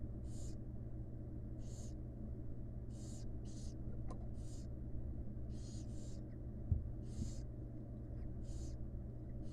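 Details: Begging by wild barn owl chicks as the mother brings food to their nest box: repeated airy, hissing bursts spaced irregularly, some doubled, with a thin click and a low constant hum beneath.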